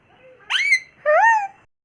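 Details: Indian ringneck parrot kept as a pet gives two short, nasal, harmonic squawks, the first rising sharply, the second gently arched, in a quiet room.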